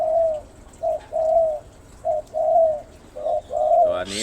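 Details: A spotted dove about two months old, a young bird kept for training, coos in a broken series of soft, mellow hoots, some clipped and some drawn out, then a sharp clatter right at the end.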